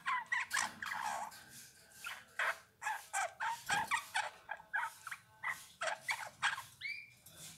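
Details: Eurasian bullfinch singing a steady run of short, creaky, slightly nasal notes repeated about twice a second, ending with a clearer upward-bending whistle.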